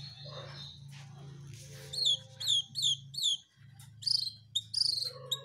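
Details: Jongkangan bird singing energetically, recorded one day before it went missing: clear, downslurred whistled notes repeated in a quick run over a steady low hum, ending in brighter, stronger phrases.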